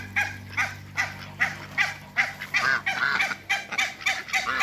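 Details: Two pairs of African geese kept with Muscovy ducks in a backyard, calling with loud nasal honks repeated about once a second, bursts overlapping in a steady chorus.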